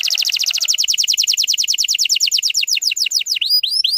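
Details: Canary trilling to coax young birds into song: an even run of rapid descending notes, about five per second, finishing with a few looping rising whistles.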